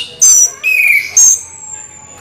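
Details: Orange-headed thrush in rolling 'ngeroll' song, giving three loud clear notes: a high whistle, a lower drawn-out falling whistle, then another high sustained whistle fading away.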